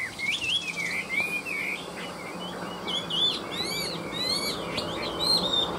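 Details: Midday song of a caged hwamei: fluid whistled notes sliding up and down, growing into fast, buzzy, twisting trills toward the close.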